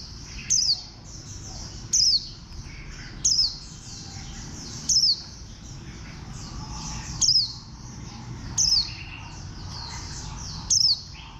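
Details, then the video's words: A bantam-shaped green warbling white-eye gives a series of sharp, very high notes that slide downward. Each note is brief, and they come at fairly steady intervals of about 1.5 seconds, backed by faint twittering from other birds. "Khuyên xanh dáng gà tre"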